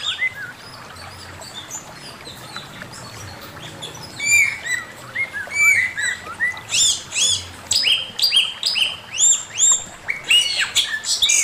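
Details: Male Chinese hwamei giving master song: a quiet start, then rapid series of ringing whistled notes that swoop up and fall back, repeated about twice per second and growing louder.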